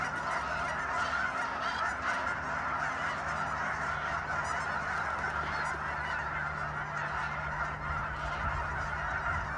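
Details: Geese at Sunset Lake, Guymon, Oklahoma, keep up a continuous massed honking, while a low steady hum runs beneath the flock's din.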